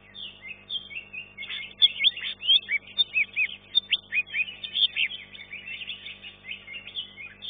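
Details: Contest green leafbird, third-place finisher in class 1 of a singing competition, delivering loud bright whistles and sharp upward-flicked notes in quick bursts, each phrase separated by short gaps, with a faint background hum.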